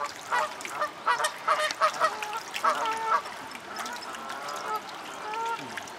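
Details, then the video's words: Mute swans at Reddish Vale Country Park, parents driving off their 2011 cygnets, hatched in June, three of four surviving, before nesting again. Hoarse, nasal honking notes in quick irregular bursts, then a few drawn-out calls, over busy waterside background. "Mute Swans Chasing Their Cygnets Away"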